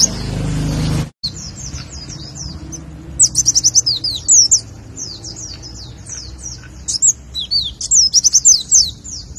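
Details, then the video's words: Warbling white-eye 'nembak' tutor song for early morning: after a short noisy burst, clusters of high, quick twittering notes and rapid trills follow in separated bursts. "Masteran Pleci Nembak 2018"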